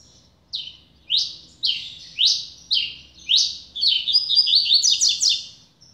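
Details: Newly acquired double-collared seedeater singing repeated sharp, upslurred, high notes roughly twice a second. The phrase breaks into a quick burst of jumbled, buzzy twitters at the close, over near silence.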